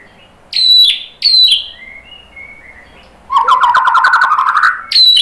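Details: Used to provoke fighting males, this white-rumped shama song gives two sharp high descending notes, a few soft gliding whistles, then a rapid buzzy rattling trill and another sharp note.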